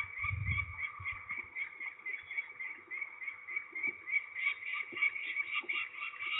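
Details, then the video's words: Peregrine falcon calling during ringing at Trzebież, Poland, 13 May 2019: a rapid, steady stream of harsh repeated notes, after a brief low thump at the start. "Sokoły wędrowne Trzebież (PL) 2019.05.13 - Obrączkowanie cz.1"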